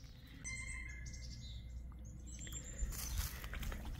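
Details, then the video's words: A Pileated Woodpecker calling from some distance in early spring bush near a swamp with dead poplars; a quick, even series of loud ringing notes over low wind rumble, then rustling and footsteps. "you hear that that's a pileated woodpecker"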